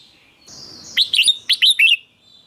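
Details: Red-whiskered bulbul song for stimulating or luring birds. A thin high whistle precedes one quick phrase of about six bright, bubbly notes, then silence.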